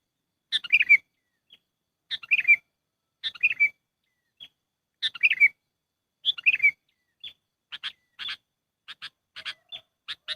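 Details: Sooty-headed bulbul lure call for trapping: several bubbly falling chirp phrases with stray peeps, then a faster run of short sharp chips near the end, all on a quiet background.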